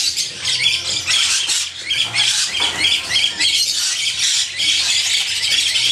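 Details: This year's young red-winged parrots (Aprosmictus erythropterus), 2014, give a steady stream of harsh, scratchy squawks and chatter, overlapping almost without pause, over a faint low hum.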